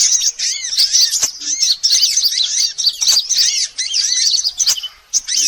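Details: Sunbirds calling on a trapping lure track: quick arched, whistled chirps repeated in a busy, overlapping stream of high squeaky notes, briefly quieter near the end.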